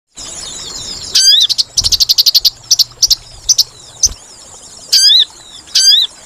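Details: Sooty-headed bulbul lure call used for trapping birds: sharp, high, harmonic-rich notes that bend downward, mixed with fast bursts of rapid chattering chirps. A faint low hum runs underneath.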